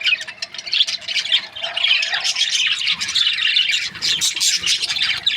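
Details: Breeding-pair budgerigars squawking and chirping together, harsh, grating notes mixed with quick tweets in uneven bursts.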